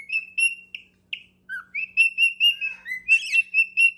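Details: Cockatiel male singing to court his mate, giving clear high whistled notes in a rhythmic run, one lower descending whistle after a short pause, and a brief harsher chirpy burst near the end.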